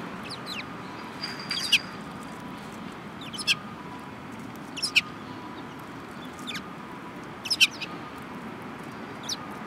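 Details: Several sparrows, including a yellow-beaked one, recorded on 18 January 2018: short, sharp, high chirps in brief clustered bursts about every two seconds, five bursts in all, over a steady low background hum.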